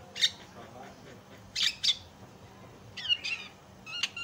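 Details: Javan myna singing to provoke other mynas into song: loud harsh chirps separated by pauses, then quick downward-sliding whistled notes near the end over a faint hum.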